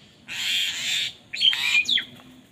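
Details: Crows fighting for food, calling in anger: one long grating squawk, then a burst of shorter harsh, squealing notes sweeping upward, loud and close.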